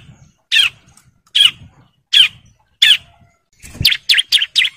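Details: Male bar-winged prinia in breeding condition calling females: four harsh, scratchy single notes about three-quarters of a second apart, then a quick run of four sharper chirps at the end.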